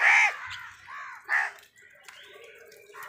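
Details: Crows fighting for food: one loud harsh caw opens, followed by softer arched calls and a second sharper caw, then quieter background with faint distant calls.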